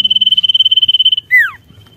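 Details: Sirtu in full song to provoke rivals: about twenty rapid, evenly spaced high pulses form a buzzy trill lasting over a second, then a single loud whistle that sweeps sharply downward. Background is otherwise quiet.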